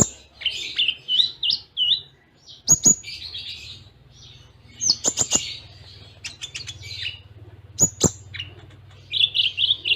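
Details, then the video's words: Konin sunbird in a song-training recording with Cililin imitations and short pauses: busy high warbled twittering in bursts, broken by sharp clicks, with a low steady hum beneath. "Masteran Konin Full Tembaan Cililin Jeda Rapat"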